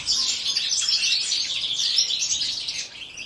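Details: Several European goldfinches in an aviary twittering together: bright, rapid, liquid chirps and short trills layered into a steady high-pitched chatter.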